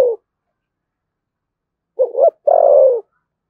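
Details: Spotted dove in Dong Nai, Vietnam, kept for its thunder-like voice: the tail of one coo, a pause, then two short rising notes and a long falling coo.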